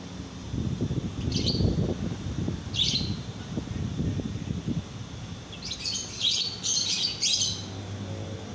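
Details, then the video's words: Midday lovebird masteran, a training song: two separate shrill chirps, then a quick burst of five or six harsh, squeaky notes close together, over continuous low-pitched background rumble. "Masteran lovebird siang hari"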